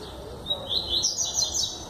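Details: Yellow-bellied seedeater singing nonstop in João Pessoa, Paraíba, Brazil, on 21 September 2017: a quick string of high, thin, bright chirps and short trilled notes, with low background rumble.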